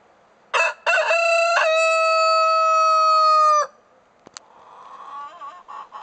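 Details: A Cochin rooster crows in the afternoon: two or three short opening notes, then a long, steady, strongly harmonic note held about two seconds before cutting off. A faint background murmur follows.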